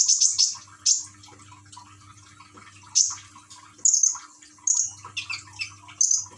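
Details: Common iora kept caged in Gresik, East Java, encouraged to sing with a trickling-water therapy track; scattered high, sharp whistled notes and short chirps separated by pauses, with a steady low hum in the background.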